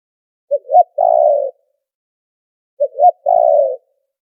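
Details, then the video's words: Spotted dove call for lure trapping, filtered of noise: two phrases, each a quick double-noted rising coo followed by a long, level, buzzy coo, spaced about two and a quarter seconds apart. "Tiếng chim cu gáy chuẩn kích mồi đã lọc tạp âm | file mp3 cu gáy kích bổi"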